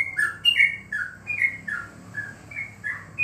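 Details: Yellow-vented bulbul in a cage, a contest bird kept at home during corona, giving spaced liquid whistled notes that slur down in pitch, irregular in timing, with low background rumble.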